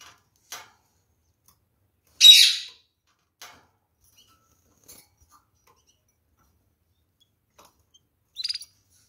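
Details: Canaries, one loud high chirp, a shorter bright note near the end, and faint clicks between them in near silence.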